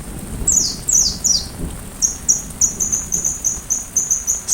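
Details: Sunbird song for tutoring a white-rumped shama: a few high, falling swept notes, then a rapid, even series of short, thin, high chirps repeated several times a second.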